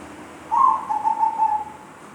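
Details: Zebra dove giving a strange-sounding call: one soft whistled phrase of about a second, slightly beaded into quick pulses and gliding gently downward in pitch, over quiet steady background noise.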